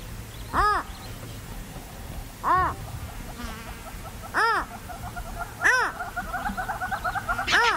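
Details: Purple roller (Coracias naevius) in Kruger National Park giving five harsh, nasal, arched calls about every one and a half to two seconds, with a faint rapid chatter of another bird behind.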